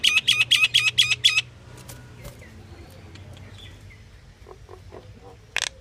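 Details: Pied myna calling in a fast run of about seven short, ringing, evenly spaced notes. Faint scattered chips follow and a burst closes the recording.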